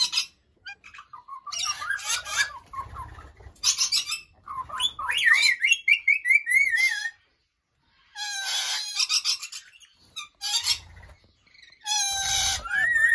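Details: Early morning in a lorikeet aviary: rasping screeches mixed with rising and falling whistled squeals, including a long descending slurred note, then more harsh bursts after a brief silence. Low thumps are audible in the background.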